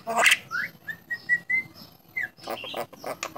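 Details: Starling that can talk and has won contests: a harsh burst, then a rising whistle and a series of level whistled notes, ending in noisy scratchy syllables.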